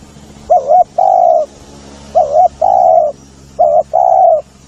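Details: Spotted dove call for luring: a soft wavering double coo followed by a long steady hoarse coo, repeated three times roughly every one and a half seconds over a constant low hum.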